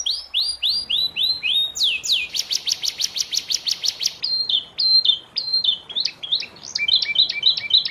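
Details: Young domestic canary in moult, recorded as tutor song for training other canaries. It opens with rising whistled notes, then a fast even roll of clicks, then varied chirping high phrases.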